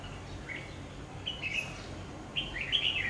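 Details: Decoy red-whiskered bulbul at a bird trap gives quick chirpy warbled phrases, first a brief note, then a longer twittering burst and a louder tumbling phrase at the end, against a low constant hum.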